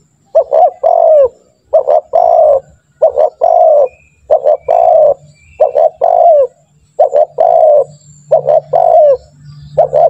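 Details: A vocal spotted dove recorded as a training lure, cooing steadily for ten seconds. Each phrase is a pair of short soft notes followed by a longer sliding coo that dips at the end, repeated almost continuously. A low steady hum runs underneath.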